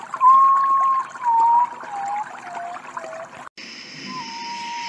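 Common potoo giving its mournful whistled lament: a long clear note, then four or five shorter notes stepping down in pitch, followed after a break by another whistle over steady insect hiss.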